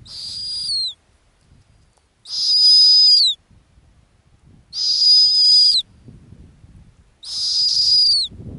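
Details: Nesting female snowy owl on Arctic ground gives four loud, buzzy, high-pitched screeches, each close to a second long and ending in a downward slur, with quiet wind noise between them.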